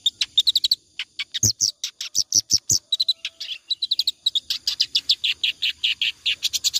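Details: Clamorous reed warbler in continuous ngacor song, used as tutor material for other birds: scratchy high notes, first sparse with a few low knocks, then a dense, rapid chatter of harsh, rasping syllables to the end.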